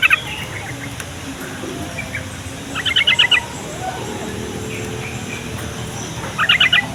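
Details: Yellow-vented bulbul, singing to lure other bulbuls into replying, gives short crisp bursts of four or five fast chattering notes, one near the start, one in the middle and one near the end, with quiet hiss between.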